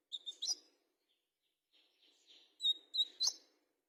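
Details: Olive-backed sunbird of fighter type; thin high chirps and short squeaky trills in scattered bursts, with a soft rustling murmur underneath.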